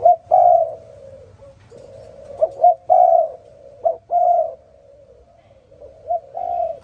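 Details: Repeated cooing of a spotted dove in the morning: three similar phrases, each a short hoot then a longer croo, separated by soft lingering tones, steady and unhurried.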